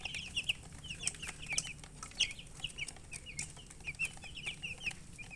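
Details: Baby chickens peeping: a steady scatter of short, high downward-slurred chirps from several chicks, overlapping at an irregular pace with faint clicks and low background hum.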